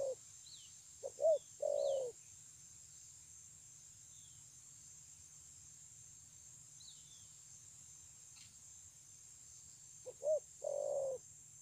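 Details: Spotted dove, 9/6/2020, gives two separated coo phrases, each a stuttered pair of short coos then a drawn-out mellow note, with long quiet gaps and faint high chirps of other birds.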